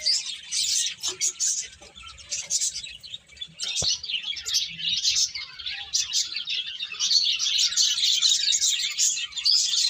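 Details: A busy flock of birds twittering nonstop, high-pitched chirps layered thickly over one another, briefly thinning near the middle before swelling again; a single sharp click is heard partway through.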